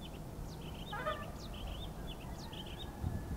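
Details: A male Oriental magpie-robin sings a quiet run of short, clear whistles and quick upslurred notes, about two or three each second, over a steady low rumble of traffic.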